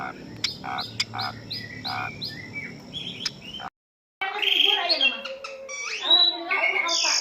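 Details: Asian pied starling in training audio: evenly repeated short notes over a hissing background, a short silent gap, then noisy harsh chatter mixed with bright whistles.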